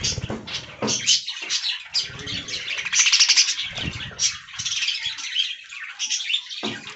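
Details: Several aviary budgerigars eating fresh green leaves, producing a lively twittering warble of short chirps and squawky notes, loudest in the middle, with scattered low knocks and rustles.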